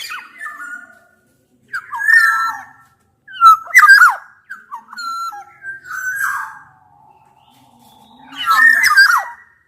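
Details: Black-naped oriole song meant to challenge an opponent, combining Javan and Sumbawa males and females as a lure: a run of rich, fluting whistles with short harsh, descending notes, delivered in bursts with brief gaps.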